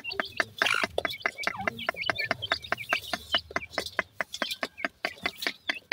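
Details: Francolin chicks, known locally as teetar, give brief high peeps over a fast, steady run of dry clicks, roughly two per second.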